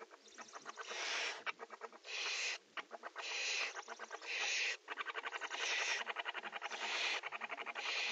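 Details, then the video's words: Barn owls in a nest box, prey transfer and mating: rasping hissing screeches alternate with fast trains of pulsed, ticking notes, making a nearly continuous harsh chatter. "Kerkuilen: PO en paring in VP"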